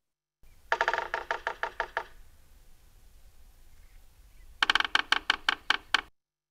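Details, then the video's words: A sapsucker, a woodpecker, drums in two bursts of about eight or nine sharp knocks, a quick roll trailing into slower irregular taps; this non-vocal sound marks territory or attracts a mate. "now my favorite is the noticeably irregular tapping sound made by the sap sucker species"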